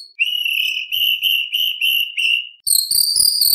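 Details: White-rumped shama (murai batu) with competition fills: a string of steady mid-pitched whistled notes, six in a row, followed by a higher, rapid buzzing trill.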